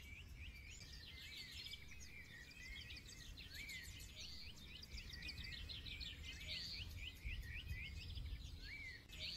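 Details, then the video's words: Forest birds singing over a steady low rumble. A busy chorus of quick chirps and short upslurred whistles is heard throughout, with some notes repeated in rapid series. "2 HOURS SINGING BIRD SOUNDS FOR RELAX"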